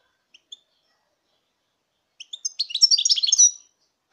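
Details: European goldfinch, 2019: two isolated soft chips, a pause, then a quick rising run of notes opening into a brief bright twittering phrase.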